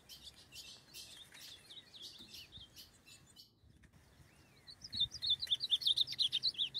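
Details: A wild male ultramarine grosbeak, free in the forest, mounts a female, then aggressively charges a cage to fight. He gives scattered high chirps, then a fast run of sharp twittering notes about twice a second. Other birds call faintly.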